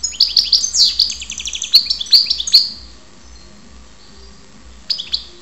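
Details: Goldfinch from Ptolemaida, Greece, delivers a lively burst of high tinkling, rapidly repeated chirps and trills for about three seconds, falls silent, then adds two brief high notes near the end; a low steady hum persists.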